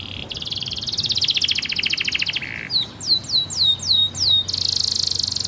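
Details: Canary singing hard, a model song for training young canaries and for canaries that have stopped singing: a long loud rattling trill, about five clear downward-sweeping whistles, then another buzzy sustained trill.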